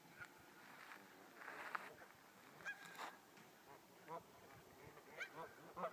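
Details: Distant geese on a lake at Winthrop in the morning, scattered short nasal honks rising out of a steady background hiss, some in quick pairs toward the end.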